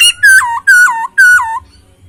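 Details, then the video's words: Poksay Hongkong, the masked laughingthrush, giving an isian song described as clear and luxurious: three loud, pure whistled notes, each sliding downward, spaced about half a second apart, over a quiet low hum. "Poksay Hongkong isian suara jernih dan mewah"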